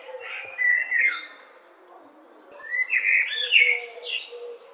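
A blackbird gives two mellow, warbled phrases a couple of seconds apart, the second climbing into a higher twittering finish over a faint low background hum.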